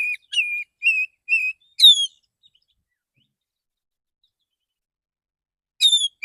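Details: Male Oriental magpie-robin's relaxed morning song, calling other magpie-robins, used as a lure: a series of four level whistles and a high falling note, a long silence, then another falling note.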